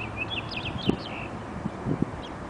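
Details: Quick, high songbird chirping notes, several in the first second, over a low background rumble with a few soft thuds; west edge of Cowles Conservatory, 11 April 2012, 3:30 pm, by a dandelion.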